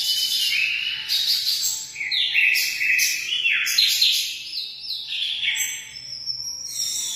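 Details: Munia (emprit) chattering song: many short, high, buzzy and whistled notes in quick overlapping phrases, sustained throughout with slight dips in loudness.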